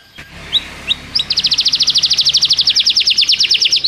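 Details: Canary singing as a tutor recording for training a young canary: after two brief opening chirps, a long rapid trill of bright, high descending notes, about three per second-fraction, steady and clean over faint background hiss.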